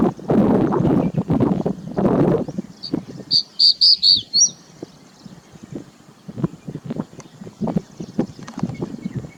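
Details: A Crested Bunting (Emberiza lathami) in the Aravalli hills of Nagaur, Rajasthan, gives a quick run of five or six high, sharp chipping notes, preceded by loud wind or handling rumble and followed by low thumps.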